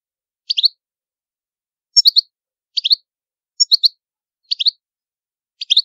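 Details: Song of a Sicilian goldfinch of the old Palermo style, kept for training young birds: short bright twittering phrases in quick bursts of two to four notes, repeated about every second, with a clean silent background.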